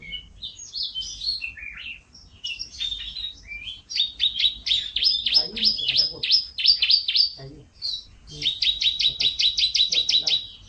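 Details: Canary giving isian masteran tutoring song, opening with varied twittering warbles, then moving into fast, even trills of repeated sliding notes, with one short pause before a final bright rolling trill.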